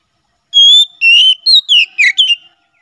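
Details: Oriental magpie-robin in ngeplong singing style, intended for tutoring birds and attracting wild magpie-robins in forest; six loud whistled notes, one long level note then brisk descending slurs, in silence.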